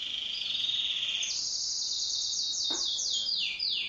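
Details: Pet canary singing in duet at home: a steady buzzy trill rises into a high rolling phrase that ends in a series of quick descending sweeps, with one soft click.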